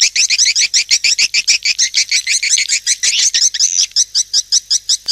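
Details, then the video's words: Swiftlets in a lure call, giving sharp, high chirps in a fast, fairly even pulse, about five per second, with a short blurred stretch midway. "SUARA PANGGIL BURUNG WALET"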